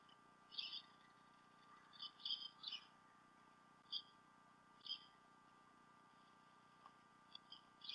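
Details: Both adult bald eagles at the Decorah North nest on a camera, 28 February 2016, the male having delivered a fish to the female. Several high, whistled chirps come in clusters roughly once a second, then fade to sparse notes.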